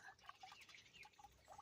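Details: Female House Wren in a garden, feeding young, gives a quiet, scratchy alarm chatter of short clipped notes, scattered unevenly over under two seconds, against faint outdoor background noise; apparently disturbed by the person nearby.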